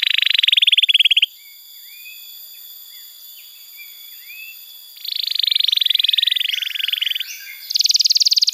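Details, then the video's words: Canary master song for training young canaries to sing: rapid, rattling trills of about four notes a second, broken by softer rolling warbles and ending in a high, fast trill, over faint steady whining tones. "Masteran Kenari PAUD & Pancingan Kenari MACET BUNYI"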